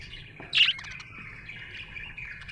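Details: A happy budgerigar gives one loud harsh chirp, then carries on with a soft, running warble of twittering notes.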